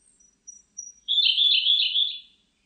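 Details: Siberian blue robin song: a few faint, thin, very high introductory notes, then a loud, rapid, slightly buzzy trill lasting over a second at a steady high pitch before fading away. The background is clean and quiet.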